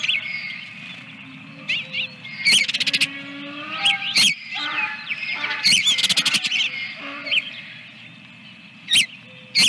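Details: Osprey calling from the egg nest at Dunrovin Ranch, 24 April 2022, second egg: bouts of high, looping whistled chirps with rapid clicking bursts between them, fading to quiet with a few sharp notes at the end, steady hum beneath.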